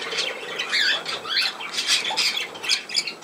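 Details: A budgerigar recorded on 17 November 2024 warbles loudly and close, with rasping squawks, quick twisting whistled slurs and clicking notes tumbling in bursts roughly every half second.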